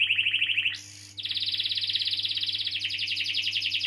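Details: Canary singing a long roll used to prompt young or silent canaries to sing; a short trill, a brief harsh pause, then a rapid, even, high-pitched trill continues to the end, with a constant low hum behind.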